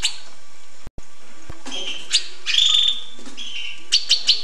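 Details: Hooded siskin song in short bursts: scratchy twitters and a sharp click, then a buzzy sustained note near the middle, and a few quick high chirps at the end, against constant low hiss.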